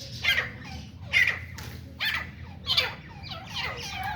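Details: Grey francolin (teeter) during fighting, hunting setting: five rough, squawking bursts in uneven succession, about one per second, with scratchy rasping overtones and a constant low background hum.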